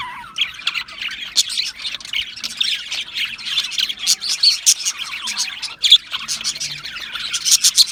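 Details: Budgerigars keep up harsh squawks and rapid chattering twitters. The noise grows busier and louder toward the end, with sharp squeaky notes clustered together.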